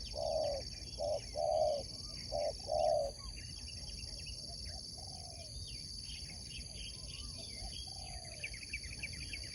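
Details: Sport spotted dove giving one clear coo phrase of short notes and a long coo at the start, then only faint distant cooing amid twittering birds and a steady hum.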